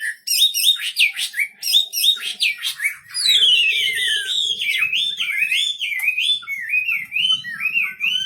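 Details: Wambi bird singing nonstop, a fast run of high whistled phrases that sweep up and down, shifting into a long wavering warble with sharp chirps between.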